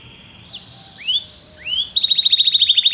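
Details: Belgian canary singing: a few separate upward-sweeping whistled notes, then a fast even trill of repeated high notes.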